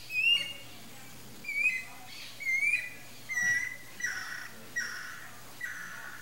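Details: Young red-and-green macaw ready to leave the nest: a series of seven short nasal calls with strong harmonics, the first few rising and sliding, later ones flatter and hoarser, spaced under a second apart over a low steady hum.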